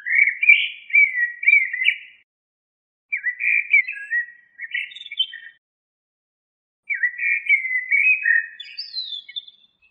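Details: Three rich warbled phrases from a common blackbird, each about two seconds long and split by pauses, the last closing with a higher, thinner twitter.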